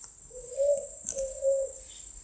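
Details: Spotted dove producing two smooth, low coos, each swelling then fading, clean against a quiet background with one brief click between them.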